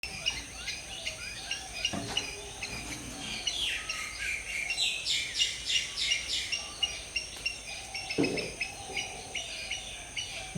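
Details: Black-hooded Oriole preening in an early tropical morning in jungle; rapid harsh, buzzy bursts rising and falling, among steady high chips from other wild birds and a constant high hiss.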